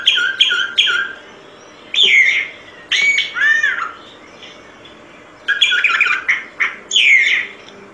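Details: Solitary cacique (boyero negro pico blanco) singing: bursts of loud, harsh, slurred notes with repeated clipped phrases, pauses of about a second between bursts, sung for over ten minutes.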